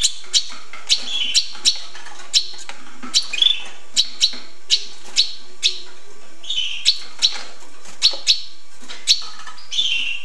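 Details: Hooded siskin song: a rapid series of sharp ticking clicks and chips, broken by brief buzzy, twittering notes, fairly steady throughout.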